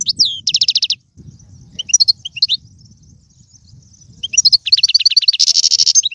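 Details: European goldfinch singing, played to stir a pet goldfinch to sing: a buzzy trilled phrase, scattered high twitters over a low rumble, then fast repeated chirps and a harsh buzzing note.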